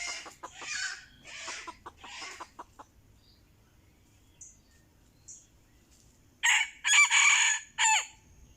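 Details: A red junglefowl answering a decoy calls with three coarse, breathy bursts, then falls nearly silent for several seconds before a louder cluster of harsh, clipped bursts near the end.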